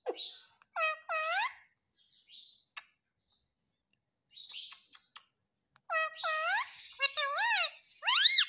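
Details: Ringneck parrot mimicking "mummy papa": paired rising, nasal talking syllables at the start and again near the end, separated by soft clicks and tapping sounds.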